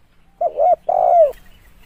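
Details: Single spotted dove phrase for use as a lure: a short wavering coo, then a longer fuller coo that slides downward at its close, in a quiet setting.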